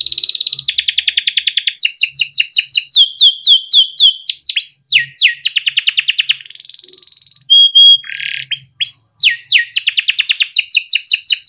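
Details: Caged yellow canary, a long-singing bird kept by a breeder, used as a tutor song for young canaries: a long, loud run of rapid trills and rolls, fast repeated chirps, short whistled notes and sweeping phrases, no other sounds.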